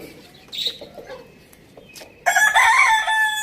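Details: Rooster on a village farm: a loud crow bursts in after quiet chirping from small birds and carries on, cut off while still sounding.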